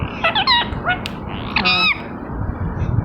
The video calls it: Green Ringneck Talking Parrot Natural Sound